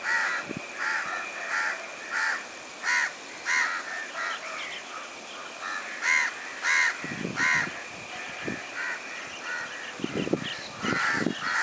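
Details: Sri Lankan plain prinia repeating short nasal, buzzy calls at irregular intervals of roughly half a second to a second, with low thumps and handling-like rumbles midway and near the end over a constant background hiss.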